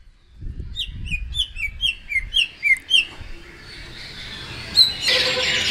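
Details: Greater green leafbird, a bought bird, giving a run of about eight clear, downslurred whistled notes at a steady pace of roughly two per second, then a louder burst of noisy chatter from other birds.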